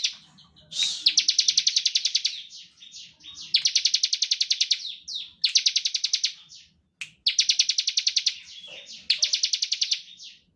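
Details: Bar-winged prinia delivering repeated ngebren song as a lure for other prinias: five quick trains of dry, rattling high pulses, each about one to one and a half seconds long, spaced by short breaks with scattered thin chips.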